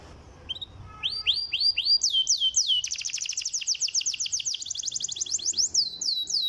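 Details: Canary song used as a lure to stimulate lazy canaries to sing: a brief whistle, then rapid series of downward-sweeping whistled notes, shifting into fast buzzy trills of repeated syllables, about four per second.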